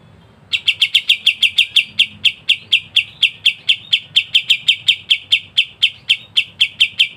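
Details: Cotton bird (kapas tembak) in gacor ngebren rapat song for masteran: after a brief silence, a long unbroken run of crisp, metallic chip notes, rapid and regular, around four each second.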